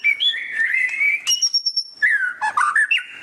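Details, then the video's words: Loud ngeriwik phrase from a white-rumped shama: a warbled mid-pitched whistle, a long very high pure note, then a fast tumbling chatter of short notes. "Suara Burung Murai Batu Ngeriwik kenceng"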